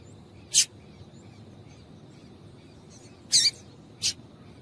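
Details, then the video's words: Female double-collared seedeater giving calls to stimulate males to sing: one sharp high chip, a pause of nearly three seconds, then a doubled chip and a single one close after. "Piado de Fêmea de Coleiro para Esquentar Coleiro"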